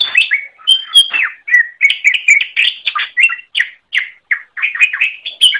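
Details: Dense, nonstop greater green leafbird song for training other birds, packed with quick varied whistles, chips and slurs mixed with sharp high notes.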